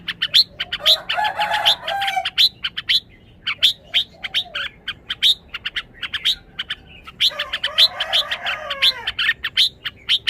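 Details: Red-whiskered bulbul alternating bright rapid chirps with two dense, rich warbling bursts, one near 1 to 2 seconds and one around 7 to 8 seconds, sliding down in pitch.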